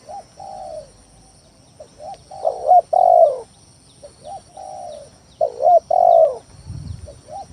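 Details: Spotted dove song played as a lure to make rivals and reluctant birds call; repeated cooing phrases, soft short notes building to a loud stuttered coo and a long falling coo, twice, with a faint low thump near the end.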